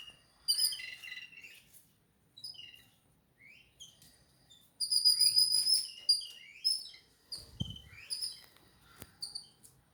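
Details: Several jungle babblers (Argya striata) chatter in harsh, squeaky, overlapping bursts of high chirps, quick and uneven, with a brief dull thump near the end.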